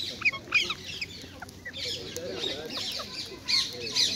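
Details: Sharp, high squawks and chatter come from a group of wild rose-ringed parakeets. The birds are being hand-fed seeds, nuts and apple in Hyde Park, London, with bursts of louder screeches over a constant background hum.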